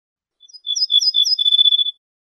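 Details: Wild ortolan bunting singing: a couple of brief soft notes lead into a steady run of bright, high whistled syllables delivered evenly for roughly a second and a half, clean and without background noise.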